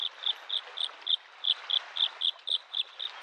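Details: Lakeside Bluethroat in spring repeating a single short, high, chipping note about four times a second, evenly spaced, over a constant murmur of waves on the shore.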